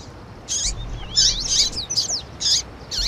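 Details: Double-collared seedeater singing 'tui tui', accompanied by female chirps for rousing a male: bursts of buzzy high twitter and thin, curving whistles, repeated about every half second over steady background noise.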